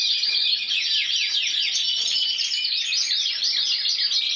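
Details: Champion intense yellow canary from Spain, 2014, scored 94 points individually; its song runs as rolling trills of swift downward-sweeping notes, repeated in quick bursts with hardly a break.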